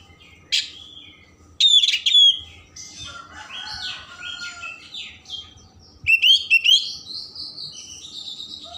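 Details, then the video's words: Oriental magpie-robin in vigorous song packed with rich mimicry, played to stimulate emotion and tail opening: varied high chirps, sharp slurred whistles and rasping bursts in quick irregular phrases, with brief gaps between. "Kacer Gacor Isian Mewah Merangsang/Perangsang Emosi Buka Ekor"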